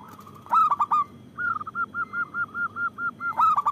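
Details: Local zebra dove, a persistent loud singer used to lure and stimulate other doves to sing: a few sharp trilled bursts, then a rapid string of clear mid-pitched cooing notes at about five per second, ending in more trilled bursts.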